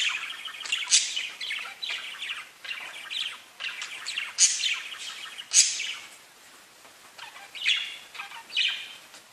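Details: Chattering parakeets trade quick scratchy chirps and warbles, a few piercing high squeaks cutting through, the stream dropping quieter near the middle before picking up again in short bursts.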